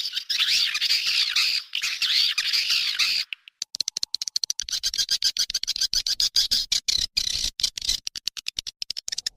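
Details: Swiftlet calls: a dense, buzzy chatter for about three seconds, followed by choppy, rapid chirps and clicks that come in irregular bursts.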